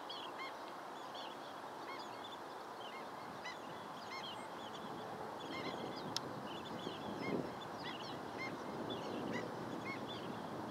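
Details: Long-billed dowitchers keep up a long run of scattered, high, clipped calls, with one sharp click partway through, over steady broadband noise.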